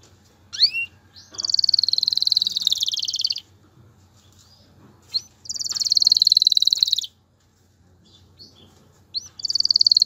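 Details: Male canary stimulating a female to mate and build a nest; three bouts, each opening with a sharp rising note followed by a long fast rolling trill, separated by quiet pauses over a low hum.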